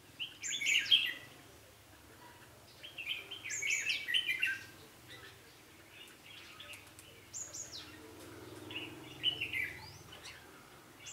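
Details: Fighting-spirited red-whiskered bulbul heard at a trapping session, 11 November 2016: four lively warbled phrases of quick sliding whistles, each roughly a second long and spaced a few seconds apart, over quiet background.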